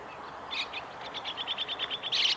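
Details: Chestnut-cheeked starlings at the Kitafuji training area, Japan, 2 July 2017: a quick run of thin, evenly spaced ticking notes between harsher chattered bursts at the start and end, with soft outdoor noise behind.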